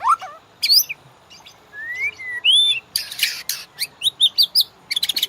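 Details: White-rumped shama song for training caged birds: sweeping rising and falling whistles, harsh grating bursts and quick high chips, in varied phrases.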